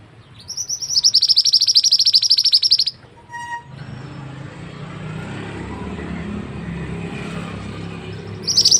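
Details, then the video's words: Mantenan bird song used as a tutor recording for other birds: a fast, high, even trill of sharp repeated notes lasting about two seconds, followed by a brief single note and then a steady low rumble of background noise. "burung mantenan yang handal untuk masteran"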